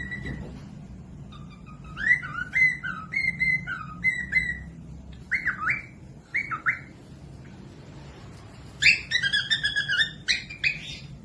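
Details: Cockatiel song meant to train other birds to sing: a long series of whistled, looping notes in repeated phrases, ending in harsher, harmonic-rich calls.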